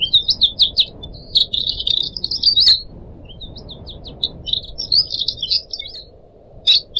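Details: Caged cuckooshrike (decu), one of four pet birds, singing a busy run of high chirps, quick twittering notes and short trills, broken by a pause midway, over faint low background noise.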